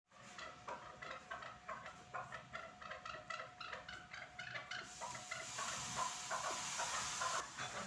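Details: Chukar partridge at Norak, Tajikistan: a rapid run of repeated clucking call notes, about three per second, fairly regular, with a hissing, rushing background noise growing louder after the fifth second.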